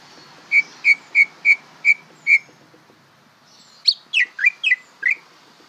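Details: A greater green leafbird learning to sing, bongkaran style. Six clear, evenly spaced whistled notes come first. After a pause, a run of sharp, sweeping slurred whistles that rise and fall follows.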